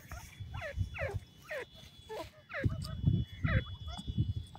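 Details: Grey francolin chicks calling, with a series of sharp, downward-sliding chirps from high to mid pitch, repeated irregularly about twice a second. Low rumbling handling noise and murmuring run underneath.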